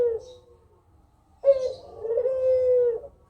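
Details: Kugeruk calling as a lure for replies: the tail of one low coo, a pause, then a single long, steady throaty coo lasting over a second.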